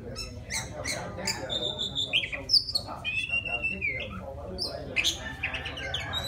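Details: Wild Oriental magpie-robin calling a female: scattered chirps, then drawn-out high whistles and a sliding phrase over a low murmur.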